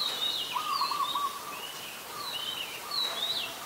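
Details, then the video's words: An adult Red-whiskered Bulbul in Ubon Ratchathani, Thailand, 16 December 2020, sings scattered high, sweeping chirps; one lower rattling trill near the start, steady background hiss. "นกปรอดหัวโขน (นกกรงหัวจุก, ນົກຫົວຈຸກ , ນົກຂວກ) /Red-whiskered Bulbul (Pycnonotus jocosus)"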